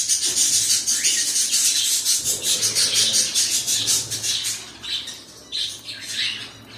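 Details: Pet cockatiels calling in a fast chain of shrill, hissy screeches, about three per second, then slowing to a few separate harsh squawks near the end.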